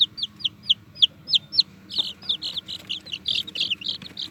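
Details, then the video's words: Chicks peeping: first clean, evenly spaced high downslurred squeaks, then blurrier, harsher overlapping peeps, over a background hum. "cute chicks and squeaky squeaky sounds"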